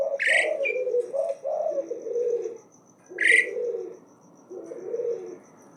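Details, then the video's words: Asian pied starling singing constantly in challenge: two harsh upward-sweeping calls, each followed by lower mellow warbling phrases, with a faint continuous high whine behind. "Jalak uren gacor tdk takut Menantang terus BUNYI NONSTOP"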